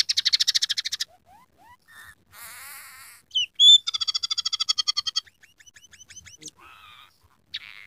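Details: Scaly-breasted munia singing steadily, its song filled with imitations of rough canary, house sparrow and red siskin phrases: a fast buzzy trill, then short rising whistles, a harsh rasp, bright overtone-rich notes and a final whistled phrase.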